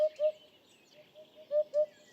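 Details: Eurasian Hoopoe along the Gardon de Saint-Jean river, France, giving low, hollow 'oop-oop' notes in quick soft pairs and triplets, about a quarter second apart, with faint higher chirps in the background.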